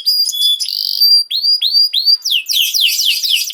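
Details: Canary song meant for training young canaries: stacked whistled tones and upward-curving notes, then a rapid run of downward sweeps.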